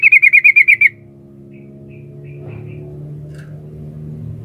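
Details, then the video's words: Female sooty-headed bulbul summoning the male: eight rapid, evenly spaced ringing notes in under a second. A few faint distant notes follow, against low background hum. "suara burung trucuk betina memanggil jantan"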